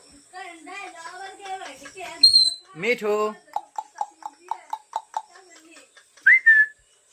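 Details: Parrot talking: a wavering voice-like phrase, then a sharp high whistle, a harsh squawk, a run of about ten short clipped notes and a final rising whistle, in a quiet room.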